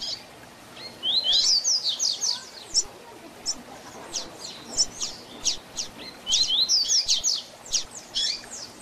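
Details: A 'tui tui zel zel' tutor song for teaching young double-collared seedeaters: rapid, bright downslurred whistles in quick runs, then a long series of sharp, spaced chips, then another fast whistled burst. Steady low hiss underneath.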